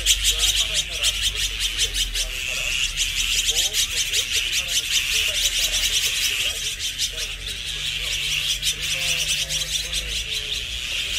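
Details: A flock of Azure-winged magpies, a resident bird in Korea that lives in family groups, gives harsh, raspy calls in rapid overlapping bursts over a steady high-pitched hum, with soft low warbling notes underneath.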